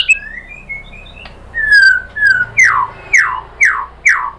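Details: White-rumped shama song used to provoke a caged shama to answer: long slurred whistles, then a run of five loud downslurred whistles repeated about every half second.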